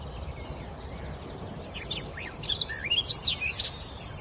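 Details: Forest bird singing: quiet at first, then a burst of high whistled notes sweeping up and down in fast, varied phrases near the end, with a constant low background rumble.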